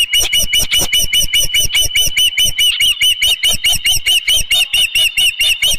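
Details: Osprey at its nest at Dunrovin Ranch with a fish, 19 May 2018, 4:38 PM: a fast, steady series of high, whistled chirps, over two per second, each a short piercing squeal with a slight upward flick, running without pause.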